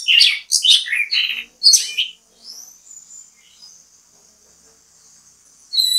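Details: Orange-headed thrush used as bait to make other birds sing: a loud jumble of quick varied chirps and whistles for two seconds, then a long faint high thin tone trailing off.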